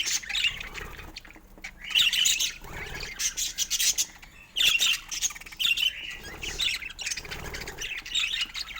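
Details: Several budgies chattering together in bursts of bright, scratchy warbles and squawks, grouped into short phrases roughly every second, with brief quieter gaps between flurries of high twittering.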